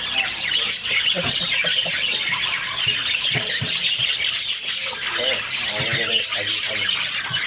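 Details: Budgerigars (Melopsittacus undulatus) with eggs and newborn chicks chatter constantly, a dense mix of high squeaks, chirps and warbling notes.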